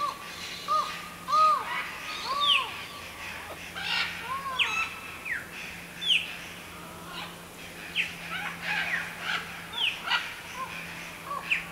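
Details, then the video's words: Collared forest falcon singing from high in a tree at Buraco das Araras, MS. It gives hollow, arched, mid-pitched notes repeated at uneven one- to two-second intervals. Higher, sharper chirps and whistles from other birds are heard throughout. "Falcão-relógio cantando"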